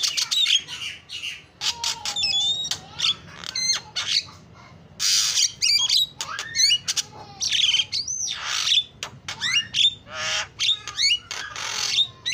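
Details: An energetic Javan myna song packed with mimicry, mixing clear whistled notes, rapid chirps, rasping noisy bursts and looping slurred phrases, delivered in quick bouts over about twelve seconds.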